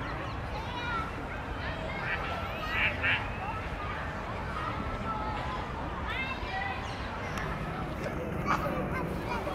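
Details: Carrion crows at the Jardin des Plantes mob a grey heron atop a tree in flight, giving a few harsh, rasping caws over steady city noise and people talking.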